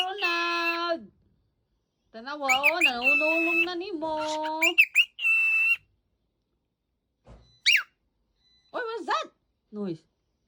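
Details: Cockatiel being woken up: long drawn wavering calls, then short rising chirps and scratchy squawks in separate bursts with pauses, a person speaking nearby.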